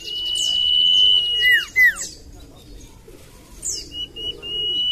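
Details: Common iora lure song: a long even whistle followed by two loud falling whistled slurs, a pause, then high descending sweeps and renewed level whistling.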